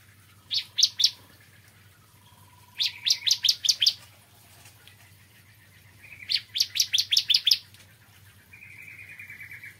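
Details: A bar-winged prinia sings in the morning, giving short rattling bursts of piercing high chirps, three then six then seven notes, linked by softer flat trills and ending on a thin, level buzz.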